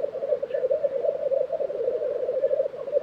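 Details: Short stretch of black grouse lekking in Tiveden, Sweden, April 2023: steady pulsing low bubbling, nothing else prominent.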